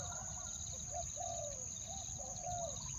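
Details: {'caption': 'Spotted dove calling to lure wild birds, in a two-word pattern: two pairs of low, drawn-out coos, each falling at the end, over a continuous high insect buzz and faint distant chirps.'}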